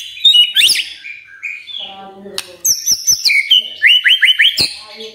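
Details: Morning song of a magpie-robin meant to set silent birds singing: high scratchy notes, a steady droning tone in the middle, then sharp clicks and a fast series of four rising whistled upslurs.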